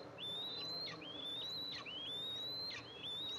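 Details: Eastern imperial eagle nest with two eaglets, the mother arriving to feed them, recorded by a nest camera on July 14, 2024. Four high, thin whistles slide slightly upward and end in a sharp downward flick, over faint hiss.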